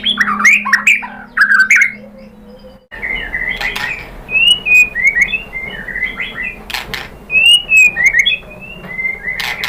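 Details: Lure song of a white-rumped shama, meant to make other birds reply. A few loud whistled phrases open, then comes a long run of sweet, wavering whistles, each short and slurred, repeated in loose succession.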